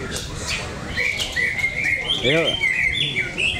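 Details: Cocak ijo, greater green leafbird, competing in a songbird contest at an arena in Cikeas: rapid, high chattering and whistled phrases run on without pause, while a man's voice briefly cuts in and crowd noise continues.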